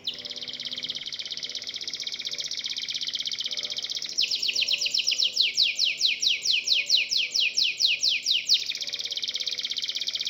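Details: Local domestic canary in full, lively song, with several canaries joining in: a dense buzzy trill for four seconds, then a fast run of downward-sweeping whistled notes, returning to the buzzy trill.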